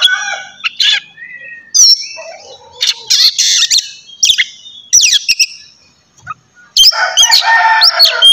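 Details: Oriental magpie-robin morning song for stirring other birds to sing: scattered sharp chips and whistles separated by pauses, ending in a dense burst of scratchy warbling.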